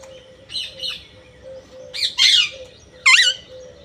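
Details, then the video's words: Three harsh parrot squawks in under four seconds, the last two louder with a sweeping, bending rasp, set against a quiet steady low tone. "Raw parrot"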